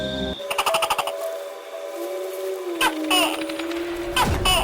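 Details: Loud music with steady electronic tones, sharp bright hits and a sliding low tone, with no clear animal voice.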